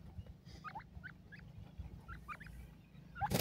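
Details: Grey francolins in a forest giving short, harsh, rising notes, about three a second, over a steady low rumble, ending in a sudden loud burst of noise.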